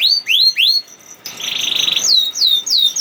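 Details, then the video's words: Canary 'nembak' song, a lure for quiet canaries: three rising whistled notes, a short gap, a buzzy roll, then several clear down-slurred whistles. "Kenari Malas Bunyi Langsung Nyaut Ikut Ngerol Kalau Dengar Suara Kenari Nembak Ini ||Voice of Canary"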